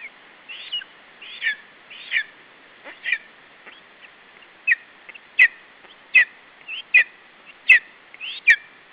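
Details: At an Estonian nest on 21 July 2012, a lesser spotted eagle chick guards its food from an adult bird. Sharp, high yelps come roughly once a second, growing louder and more clipped toward the end.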